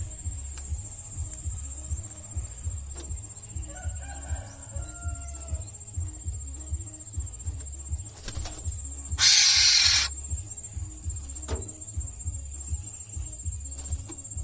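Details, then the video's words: Kept black-naped oriole at home on Simeulue, chattering because its meal came late; one loud, harsh, raspy burst of nearly a second after faint thin whistles, over a steady low hum and soft ticking. "Burung Kepodang "Simanis" Merepet Karena Terlambat Makan"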